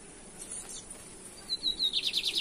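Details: Lined seedeater singing, from a 2023 comparison of the caça rato and torneado styles: after quiet hissy background, a thin rising whistle leads into a quick series of sharp, descending trilled notes.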